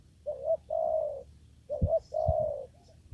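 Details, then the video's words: In a papaya garden, during trapping with a lure, a spotted dove gives two low coo phrases, a short note then a long sustained coo, with dull thumps in the background. "mikat burung tekukur di kebun pepaya"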